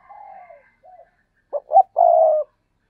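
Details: Spotted dove call, a quiet falling coo and a brief soft note, then two quick punchy notes leading into a sustained, steady, low hooting coo lasting about half a second.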